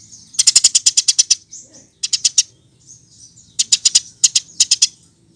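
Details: Lure song of a Eurasian tree sparrow, meant to make other birds sing: dense strings of sharp, high chirps in three main bursts, broken by brief gaps and a soft buzzy note.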